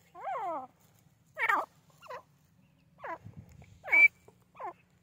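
Grey francolin giving loud, harsh, harmonic-rich call notes in spaced bursts, some falling in pitch, repeated about every half to one second, with a faint low rumble between.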